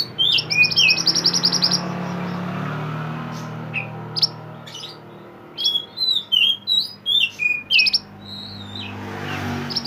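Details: Mountain mantenan bird singing energetically, a recording meant for training songbirds: it opens with a rapid buzzy rattle, breaks into sharp chirps, then gives a run of loud repeated whistled phrases about every half second.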